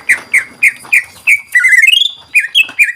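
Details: Loud greater green leafbird song for prompting other birds to sing: crisp repeated whistled notes about three per second, then a quick rising trill sliding upward, followed by more clear, dropping whistles.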